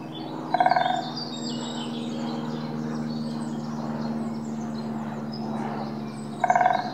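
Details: Dendrocopos major pinetorum, the great spotted woodpecker, gives two brief, rapid chattering bursts about six seconds apart, against a constant low hum and soft distant bird sounds.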